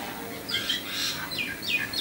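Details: Myna at a doorstep in Sri Lanka. Several quick, high, downward-slurred chirps come in a two-second run over faint background noise.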